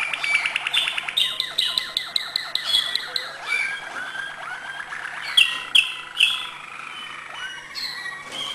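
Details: Malinois canary singing acute notes: fast rhythmic chopped notes repeated several times a second, then sliding trills, then three loud high chips before a quieter rolling finish.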